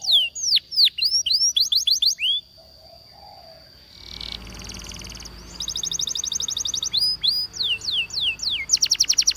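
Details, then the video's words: Waterslager canary song for training canaries: rapid downward-sweeping whistles and fast high trills, then a quieter pause with a soft hum around four seconds, followed by more rolling trills and swept notes repeated several times a second. "The Best Canary Sound!!! Reliable for Waterslager Canary Training"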